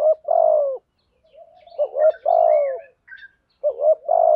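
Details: Spotted dove calls, male and female, used to train caged doves and lure wild ones: a hoarse falling coo, soft murmuring, then rising double notes and a long falling coo, with brief high chirps.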